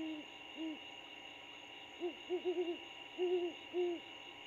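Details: A pair of great horned owls in an abandoned bald eagle nest 75 ft up a pine at the Landings, Georgia, trading about eight soft, low, rounded hoots in short irregular bunches, over a faint steady electronic hum.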